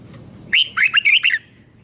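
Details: Caged red-whiskered bulbul singing the doubled 'beun' style, played for young birds to copy: one short bright phrase of about five quick, slurred, warbling notes lasting under a second, then quiet background hiss.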